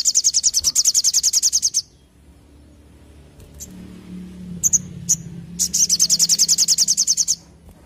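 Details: Sogon, or olive-backed tailorbird, singing two long rapid bursts of shrill, buzzy high notes, separated by a few sharp chips over a low background hum.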